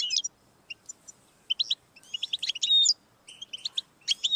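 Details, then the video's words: Goldfinch song meant to encourage a pet goldfinch to sing: scattered high chirps, then liquid twittering phrases with a clear whistled note and a dense buzzy burst near the middle. "Audiorecordings of the goldfinch to stimulate birdsongs"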